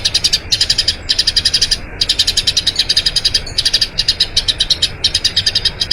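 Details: Eurasian tree sparrow giving a long rolling song, recorded as master audio for training other songbirds: quick bright chirps about four per second in bursts of one to two seconds, separated by short gaps.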